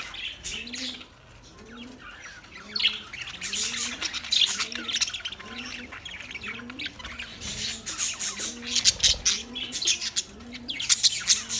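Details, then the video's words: A flock of budgies, 9 March 2024, chatters in dense high chirps and squawks that grow busier later on, over a regular train of low arched tones about every second. "Relaxing Sound Of Budgies"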